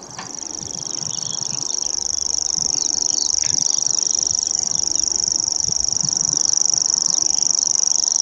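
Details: Reeling grasshopper warbler on Bowesfield Marsh, 19 June 2017, singing nonstop for an hour, filmed on a Nikon P900: the sustained high mechanical trill starts softer and swells louder, staying level in pitch, with faint low background noise.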